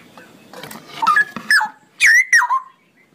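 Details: Cucak rowo (straw-headed bulbul) in ropelan song: after a soft start, a few loud, clear whistled notes slide downward, including a strong double phrase near the end.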